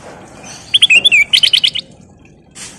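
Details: Sooty-headed bulbul singing actively, used as a lure: a short string of bright whistles, a slurred falling note, then a fast even run of repeated chirps, with faint hiss behind.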